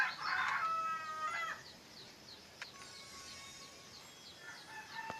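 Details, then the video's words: Bird song opening with a loud burst of clear, steady whistled notes, then quieter repeated short chirps and a few faint whistles against a light background hiss. "Sangat Indah Suara burung ini"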